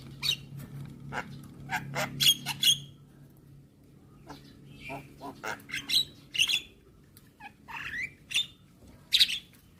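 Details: Javan myna song used as a morning master for young birds learning to sing with head-bobbing: loud harsh squawks and rasping bursts in irregular clusters, a few short slurred whistles, and a constant low hum underneath.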